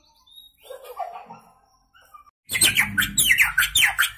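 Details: Young white-rumped shama just out of juvenile plumage sings fill-in imitations from one spot: faint scattered notes at first, then an abrupt loud run of quick high chirps and slurred whistles, about two per second.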